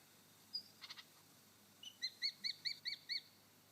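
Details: Male superb lyrebird on his dancing mound in Sherbrooke Forest Park, Victoria, mimics a yellow robin: a few sharp high notes, then six clear piping notes repeated about five times a second, over faint background hiss.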